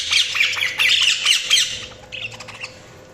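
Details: Budgerigars chattering: dense, scratchy, rapid chirps and squawky warbles for two seconds, then fainter quick twitters, over a faint steady hum.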